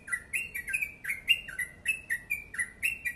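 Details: Fast, tightly packed ropel song of a yellow-vented bulbul, clear liquid chirps swinging up and down in a brisk, continuous run.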